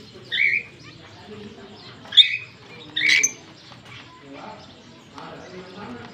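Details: A green Fischer's lovebird pair chirping, October 16, 2023. Three separate bright, high chirps about a second apart stand out over a quiet background, followed by softer faint twittering.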